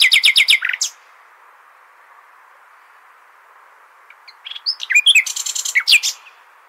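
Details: Nightingale song in the Hasniya style, played to tutor goldfinch and hybrid chicks: a fast run of sharp repeated high notes, a long pause, then a second phrase of varied whistles and stuttering pulses.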